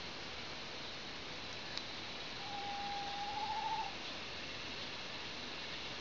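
An owl gives one long, steady mid-pitched hoot lasting about a second and a half, wavering slightly at the end, over a constant background hiss.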